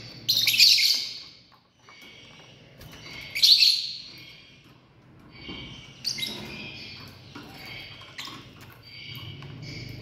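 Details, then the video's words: Family group of lovebirds giving shrill, high-pitched screechy chirps in loud bursts a few seconds apart, with quieter twittering between the bursts. "Love Birds 🔴 Sounds | Live - Family"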